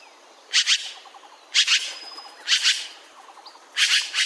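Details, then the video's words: Azure-winged magpie giving loud double rasping calls about once a second. Faint, lower twittering of other small birds runs underneath. "Сорока лазоревая. Голоса птиц"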